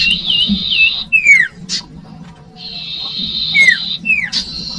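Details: Common iora song used as a lure for young birds: long buzzy high trills alternating with short downslurred whistles and a sharp rising note, repeated in two similar phrases, with a low steady hum underneath.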